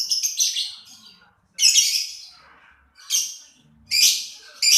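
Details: Lovebird producing harsh, rasping bursts of high chatter, a stuttering sequence first, then single loud screechy outbursts separated by pauses of about a second.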